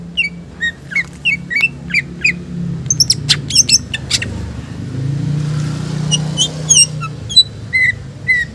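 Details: Green leafbird in full song, rich with borrowed phrases, meant for luring and training other birds: short rising chirps and sharp high ticks at varied intervals over a steady low rumble like passing traffic.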